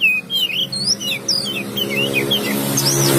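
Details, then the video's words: Oriental magpie-robin song of looping, slurred whistles that rise and fall in quick succession over a loud constant background drone. "dengarkan kicauKACER INI"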